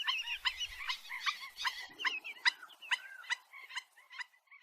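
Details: Black-winged stilt, known locally as gagang bayam empang. Yapping notes mix with wavering, squealing phrases. The calling thins out and fades toward the end, with a brief low rumble partway through.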